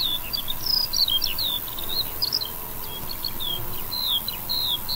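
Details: Skylark heard over a wheat field, with an unbroken flow of high warbled and slurred chirping notes against a constant hissing background.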